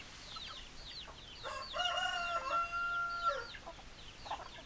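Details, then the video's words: Rooster crowing amid clucking hens: a drawn-out, strained harmonic crow lasting about two seconds rises out of scattered high chirps and short clucks, then the flock chatter resumes. "Chicken Sounds Noises Hens Clucking Roosters Crowing"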